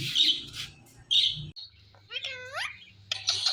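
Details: Two pet parrots, a male teasing a female, giving short harsh squawks, then a clear whistled call of several tones that dips and rises, followed by more raspy bursts, with a low hum in the background.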